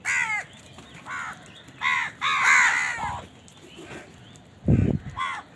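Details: Crows caw while eating and fighting over food: harsh, nasal, downward-arching calls, one drawn out longer than the rest, with a dull low thump near the end.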